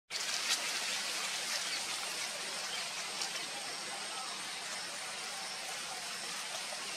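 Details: A continuous broadband hiss, like rushing water or rain, runs throughout, with no distinct animal calls.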